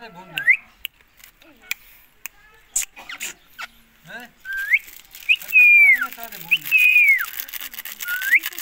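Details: Pakistan ring neck parrot (rose-ringed parakeet) calling: scattered clicks and short notes early, then a burst of loud shrill screeches that rise and sweep down, repeated several times in the second half.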